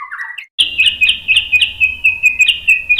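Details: White-rumped shama singing a lure song meant to provoke other shamas into answering: a short low warble, a brief pause, then a rapid run of sharp high repeated notes pulsing several times a second.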